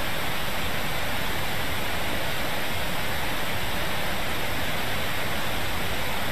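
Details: Constant roaring hiss similar to a waterfall or rain, steady from start to end, without any animal voice.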